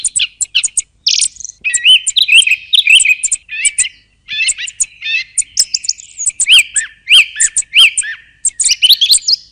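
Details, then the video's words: Song thrush pouring out fast high notes: clipped chirps, short trills and repeated whistled figures, nearly continuous with brief pauses. "صوت السمنة المغردة"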